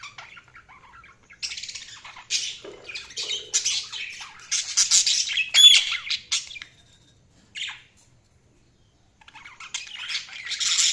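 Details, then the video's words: Budgies in lively, buzzy chatter, dense high squawks and chirps running for several seconds, then a short silence before the scratchy warbling resumes. "Budgies Sounds| Budgies Chirping sound"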